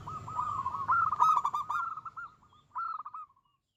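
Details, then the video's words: A local zebra dove in vigorous song, said to provoke rival doves and heighten their breeding drive; a long rolling series of quick coos, then after a brief gap a shorter closing burst fading into quiet. "Suara kutut lokal gacor yang bikin emosi lawan ahlinya menaikkan birahi lawan"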